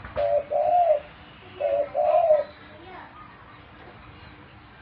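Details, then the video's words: Pet dove giving two coo pairs, a short low note then a longer rolling one, followed by a pause with faint background sounds and the start of another coo at the end. "My pet (dove) so wonderful - sound is perfect"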